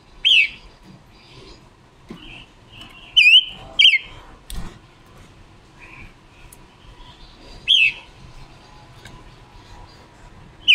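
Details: Red-billed leiothrix, a female decoy bird used to train other birds' voices and as a lure for trapping; a few sharp, high whistled notes spaced by pauses, with faint steady background hum.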